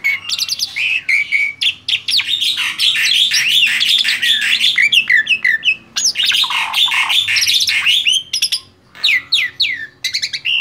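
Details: Long outpouring of song from a tame male black-winged starling: continuous chattering, squeaky whistles and harsh notes, with a short pause before resuming the jumbled, varied phrases.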